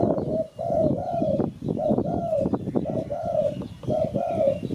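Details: Spotted dove cooing played to lure birds: soft paired coos, a short note then a longer falling one, repeated roughly once a second over constant crackling, rustling background noise.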